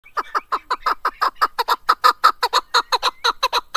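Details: Chukar partridge, called keklik, singing: loud rhythmic series of harsh clucking chuk notes, about two per second, steady and evenly spaced throughout.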